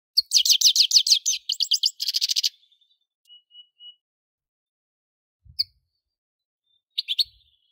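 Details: European goldfinch song opening with a fast, rhythmic run of bright twittered notes, then a buzzy trill, three soft pure whistles and short sharp chirps after a pause.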